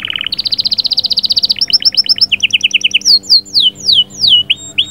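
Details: Canary song meant to stimulate the female: a short steady note, then a fast high trill, a rapid two-pitched chatter and a run of clear descending whistled slurs.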